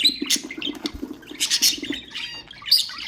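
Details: Budgerigar chatter used to stimulate other cage birds: rapid high chirps and whistled notes mixed with harsh squawks, tumbling over a soft low buzzing murmur.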